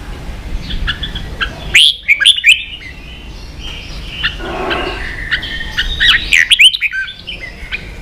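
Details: Red-whiskered bulbul in a cage in Vietnam, excited into competitive song: two loud clusters of bright, bubbling, slurred whistles separated by softer scattered chirps and a faint low murmur.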